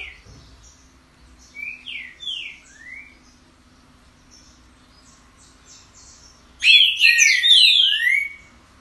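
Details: Green-winged saltator with an unusual song: a few soft, distant-sounding slurred whistles early on, a long quiet stretch, then a sudden loud burst of rapid, overlapping high whistled notes and chirps near the end.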